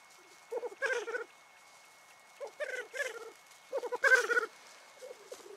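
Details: Black grouse lekking on a morning in the Cairngorms National Park, males displaying, calling and fighting; low bubbling rookooing phrases in three bursts with pauses between, faint whistles above.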